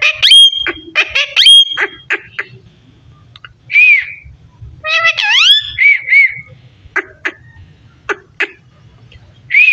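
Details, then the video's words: Parrot talking indoors, mixing clipped speech-like syllables with long steady whistles, a couple of rising-and-falling whistled notes, and a burst of stacked, wavering, voice-like sounds in the middle. "So sweet parrot talking"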